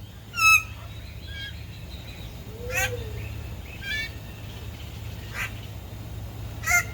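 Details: Male Raggiana bird-of-paradise displaying to an interested female: scattered loud nasal calls and quick wavering notes, a soft low arching note, and sharp clicks over a faint low hum.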